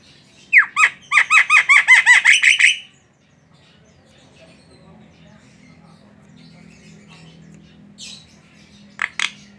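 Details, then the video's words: Javan myna chattering as a lure to spark song in other mynas: a rapid burst of about ten down-slurred ringing notes, then a long low hum with two faint squeaks near the end. "Suara burung jalak kerbau ngoceh | pancingan jalak kebo"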